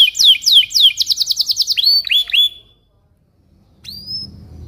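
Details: Belgian canary singing in the morning as a teaching lure for young canaries: a quick series of clear downslurred whistled notes speeding into a fast run, a few swooping notes, silence, then one lone upswept whistle.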